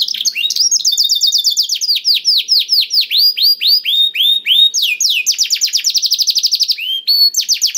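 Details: Black-throated canary song used to encourage other canaries to sing: repeated arched whistled notes at about four per second, speeding into a tight metallic trill, then more varied high chirps.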